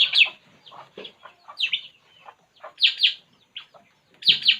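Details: Puling bird calling while relaxed: loud, bright chirps and short downslurred notes in scattered bursts, with quieter twittering between them and brief silent gaps.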